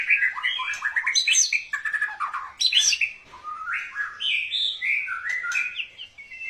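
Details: White-rumped shama singing in a courting style: varied rich phrases of whistled, warbling and buzzy notes, rising and falling continuously without breaks, mid to high pitched, in a quiet setting.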